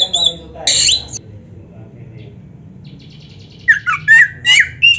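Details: Oriental magpie-robin song used to provoke other magpie-robins into singing. A few bright whistles open, then near silence, then a burst of quick, squeaky, slurred whistled notes near the end.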